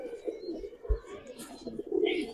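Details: Captive Giribaz pigeons in a collection give soft, low, throaty coos that overlap in a steady murmur. A sharp thump sounds near the middle, and a brief higher chirp is heard toward the end.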